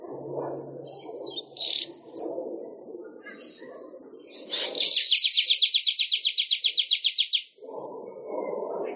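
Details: Weaver (manyar) singing for songbird training, with a low murmur of background voices: a long wheezy hiss turns into a quick, regular chatter of high notes for about two seconds before the murmur returns.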